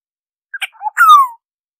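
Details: Oriole song used for bird survey work: a quick run of short fluty notes and a low, soft warble, ending in a louder, drawn-out nasal note sliding downward, in otherwise silent surroundings.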